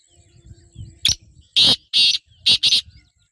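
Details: Female black francolin calling to attract a male: after faint low rumble, four loud, harsh, grating bursts in quick succession, the last two closely paired, sounding like a scratchy, clipped phrase.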